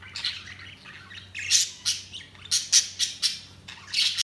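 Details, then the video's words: Budgerigars chirping: sharp, high squawky chirps in separate bursts, several clustered together, with quieter warbling between them over a faint low hum. "Budgies Chirping sound"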